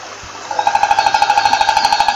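A stork's rapid, dry wooden clatter starts abruptly, about twelve even knocks per second, rattling steadily to the end over faint background hum.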